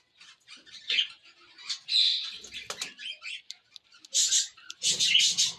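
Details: Chattering cockatiels give rough, grating squawks in irregular bursts, rising to two loud harsh outbursts near the end.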